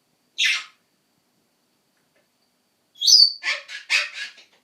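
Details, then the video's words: A pet Ducorps's cockatoo gives one harsh screech, then after a pause a shrill rising squawk and four rasping, grating calls in quick succession. "annoying cockatoo noise"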